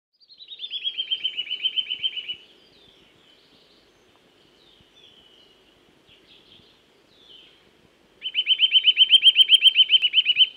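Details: Eurasian nuthatch singing in woodland: a rapid, even trill of repeated whistled notes lasting about two seconds, then faint thin notes, then a second fast trill of the same notes.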